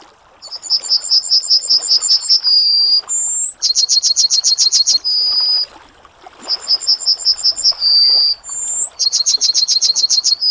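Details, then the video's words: Singing Yellowhammer repeats its phrase about four times: a rapid chain of a dozen sharp high notes closing on a sustained thin note, with a rising whistle squeezed between phrases. "Yellowhammer Singing"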